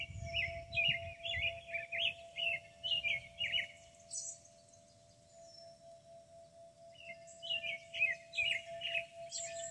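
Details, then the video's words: Country birds in Kentucky singing by a hackberry tree: bursts of quick chirping notes, a quiet pause, then another run of bright twittering, with a steady wind chime ringing and faint wind. "birds and wind chimes at Meadowstone"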